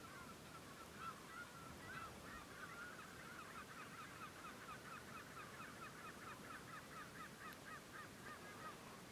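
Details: Upland goose calls recorded during environmental monitoring on 18 June 2021 at the Coyle River estuary, Santa Cruz, Patagonia, Argentina: faint, rapidly repeated mid-pitched notes running in a dense series through most of the recording, over steady low background noise.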